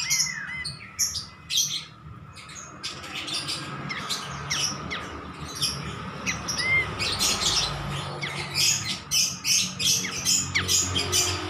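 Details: A lively kapas tembak bulbul on a master recording. Busy stream of short high chirps, squawky notes and a few looping whistles, delivered in quick irregular bursts throughout, over a constant low hum.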